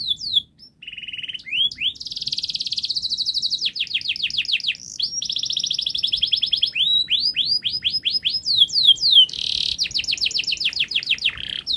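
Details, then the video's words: Canary's long, fast, tight song, played as a lure for young birds learning to sing: nearly unbroken sequence of rapid buzzy trills, fast repeated falling whistles and rattles, shifting phrase every second or two. "Kenari Gacor Panjang Speed Rapat Untuk Pancingan kenari Paud Agar Cepat Gacor"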